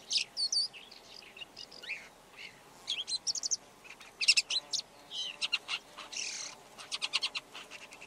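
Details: Extended Red-backed shrike song: a jumbled, scratchy warble of thin whistles, dry ticks and harsh rasping bursts, delivered in rapid, varied phrases for about eight seconds.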